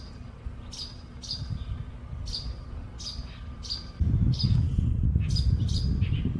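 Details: Russet sparrows, two together, at Baihe District, Tainan, Taiwan, on 8 March 2022: short, bright chirps, several each second in loose bursts, over a steady low rumble that grows louder halfway through.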